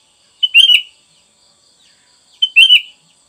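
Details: Sooty-headed bulbul used for training caged birds delivers two short, bright whistled phrases about two seconds apart, with quiet gaps between.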